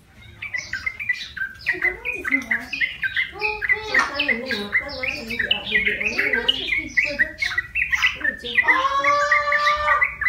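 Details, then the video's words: Tamed wild yellow-vented bulbul, one month in care: fast babbling song of chirps and bubbling slurs, ending in a loud buzzy, rippling trill. "Burung Trucukan (Jogjog) Liar Yang Dirawat 1bulan Udah Bersuara"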